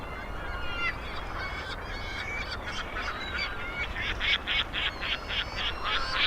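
California Gulls give harsh, nasal honking calls in quick, uneven bursts, several birds calling together.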